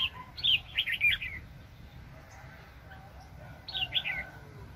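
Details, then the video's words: Red-whiskered bulbul, a highly aggressive decoy used for trapping, 2020. A lively run of bubbling, slurred whistles fills the first second and a half, then silence, then a shorter similar phrase returns. "BẪY CHIM CHÀO MÀO ||BỔI CỰC SUNG"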